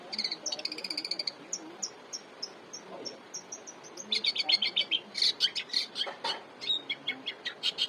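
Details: Long-tailed shrike singing energetically, offered as a master song for training cage birds: a fast series of high, evenly spaced chips, then harsher buzzy chattering notes in quick bursts over a faint hiss.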